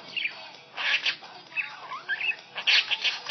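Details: Pet budgerigar chirping along to a Hindi song played on a phone: bursts of bright, scratchy warbling and squeaky chirps, rising and falling in short phrases with brief pauses.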